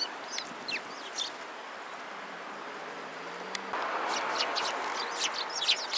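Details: A few sparrows chirp at a Tenmangu shrine on 6 December 2016. Short clipped chirps come in small bursts at the start and again near the end, with steady background noise growing louder midway.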